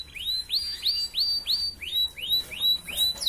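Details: Red canary singing in the lively ngerek style, used as a model song to raise breeding drive in females: clear upslurred whistled notes repeated about three times a second, each rising then levelling off, with a faint low hum.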